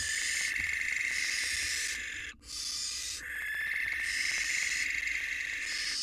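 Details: Nest-box barn owls, a widowed male courting a new female on the box outside, his fledgling nearby. Near-continuous rasping, hissy screeches overlap one another, with a single brief pause partway through.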